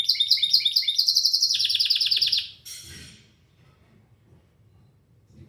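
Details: Canary delivering a rapid, high, pulsed trill that steps up in pitch and ends abruptly after about two and a half seconds, followed by a short burst and near quiet.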